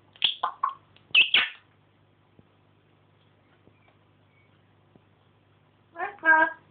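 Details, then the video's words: Pet African grey parrot talking indoors, learning a phrase it says a bit quickly: a rapid cluster of clipped speech-like syllables, silence, then a buzzy, nasal, rippling call. "the african grey chatting away again...."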